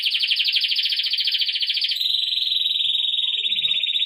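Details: Belgian canary singing a training song for young birds, a continuous rapid rolling trill held for about two seconds, then dropping slightly into a steadier ringing trill; faint low background noises near the end.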